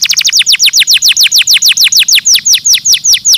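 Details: Canary giving a stimulating song: a fast, steady series of high, clear whistled notes, each sweeping sharply downward, about five per second. The bird is loud and close.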